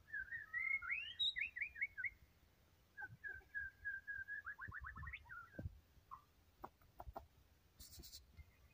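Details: White-rumped shama delivering rich song: quick rolling trills, a run of repeated whistled notes and brief chirps, followed by scattered clicks and a short rattle.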